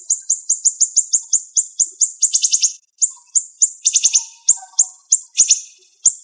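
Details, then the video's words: Rapid, sharp song of a siri-siri bird used as tutor material: quick high chirps in a tight series, broken by short bursts of rattling buzzy notes and a few faint clicks. "Masteran Burung Siri Siri Tembakan Tajam Speed Rapat"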